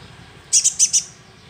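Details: A young sunbird, used as a lure, gives one quick burst of four sharp, very high chip notes against a quiet low hum.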